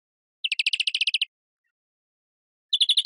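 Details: European greenfinch singing a fast, dry trill of evenly spaced chirping notes lasting under a second, then silence before a second trill starts, with no other sounds.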